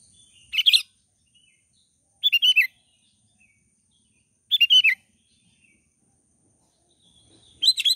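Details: A wild sooty-headed bulbul's morning calls: short, bubbly phrases of three or four quick liquid notes, repeated every two to three seconds over a faint, steady high hiss.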